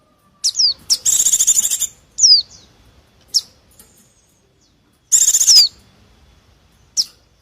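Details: Noisy white-eye calls for luring wild birds: falling whistled notes interleaved with two strong buzzy pulsed trills, plus scattered short high chips in a quiet setting.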